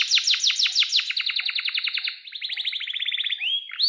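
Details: Canary in breeding condition singing a long rolling song in the gacor style, used as a tutor for young canaries learning to sing; fast, even trills of high descending notes, speeding up, ending in clear rising whistles.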